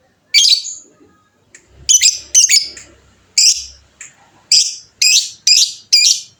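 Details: A hobbyist's fighter lovebird repeats harsh, high chirps about twice a second in an irregular chattering series. The notes are buzzy and descend slightly, over faint low background thuds.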